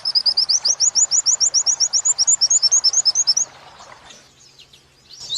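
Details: 'Wit wit' phrase from a captive-bird training song of Oriental white-eye, linked with 'kuntilanak' material: about twenty-two sharp, high, upslurred chirps in a rapid run of three and a half seconds. Quiet follows, with a brief high note at the end.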